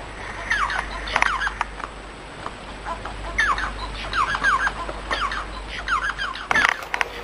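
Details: Scattered phrases of Bengalese finch song: scratchy chattering notes and thin slurred whistles in loose groups separated by short pauses, with a faint hum and a brief rustle near the end.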